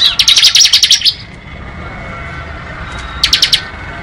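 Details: Bar-winged prinia in ngebren song: a one-second burst of fast, high, ticking chirps, then a quiet gap and a second, shorter burst of the same rapid notes.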